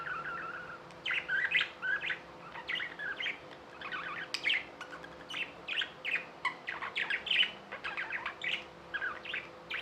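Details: Tame budgies chattering: a busy run of quick, scratchy chirps and warbles following one another almost without pause, steady low hum beneath.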